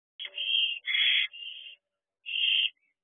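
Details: Owlets at an owl box by a house in the evening, 8:20 pm on 23 June 2023: harsh hissing screech-like calls, three bursts in about two seconds then one more after a pause, with no other sounds.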